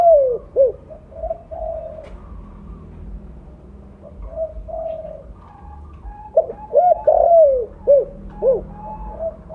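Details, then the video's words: Lure call of a loud 'blorok' spotted dove: repeated low coo phrases with short clipped notes and longer drawn coos, softer whistled tones in between, busiest toward the end. "Terukur blorok gacor suara besar cocok untuk pancingan bunyi."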